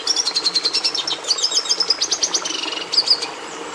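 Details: Red siskin (Carduelis cucullata) delivering a continuous high-pitched twitter of rapid chip notes and fine buzzy trills, with a thin sliding note and a bright trill near the close.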